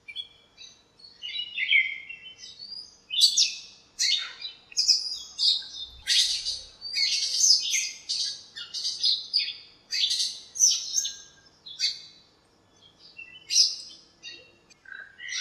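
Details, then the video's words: Many birds fighting and chirping in a backyard lemon tree on a sunny morning: a long run of sharp, high, rapid chirps and squeaky notes, densely repeated with brief gaps. "chirps at morning | backyard bird sounds"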